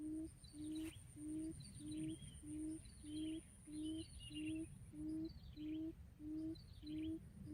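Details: Quail calling as a lure for trapping: a regular run of low, hollow hoots, one about every 0.6 seconds, while another bird adds thin, descending chirps at intervals above it.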